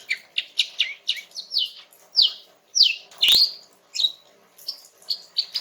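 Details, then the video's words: A female greater green leafbird sings calmly to coax a young male into answering, giving a quick series of slurred, descending chirps, about one or two per second, plus one loud sharp note. "Cucak Ijo Jantan Muda bakalan NYAUT dengan kicau SANTAI Cucak Ijo Betina ini"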